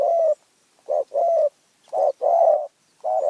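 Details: Spotted dove from Phrae, Thailand, said to have a small, fierce voice. It delivers a few warm, low coos as a clipped note followed by a drawn-out one, with silence between.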